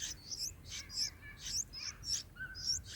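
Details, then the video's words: Bulbul chicks calling from the nest as they are fed, day four: dense chorus of sharp, high, squeaky chirps overlapping one another, with a short, lower whistled note near the end. "Bulbul feeding baby birds in Nest"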